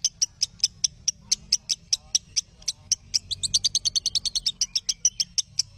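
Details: Lovebird chirping played as training audio for other lovebirds: evenly spaced sharp, high notes that speed into a denser burst midway before easing back to a steady beat, over a faint low rumble.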